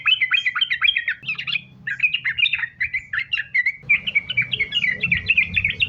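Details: Continuous 'sambung ropel' song of a sooty-headed bulbul, played as a lure to make bulbuls sing; rapid tumbling whistled phrases with short pauses, accompanied by low background rumbling.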